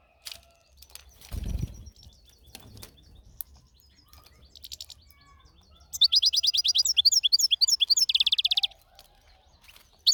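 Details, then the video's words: Singing European goldfinch outdoors: a rustling thump and scattered chirps, then a loud dense burst of rapid, jangling twittering trills lasting nearly three seconds, with faint hum behind. "طائرالحسون في السلاكة الطبيعة"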